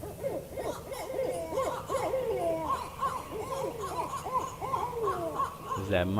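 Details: Two barred owls trade a rapid, wild run of rising and falling hoots and cackles, overlapping like excited monkeys, the kind of calls some researchers mistake for Sasquatch; a man's voice cuts in at the end.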